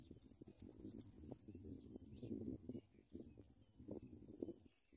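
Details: Begging Sprague's pipit chicks being fed worms: clustered high, thin squeaks early, a brief pause, then more scattered shrill chirps, over steady low rustling and movement noise.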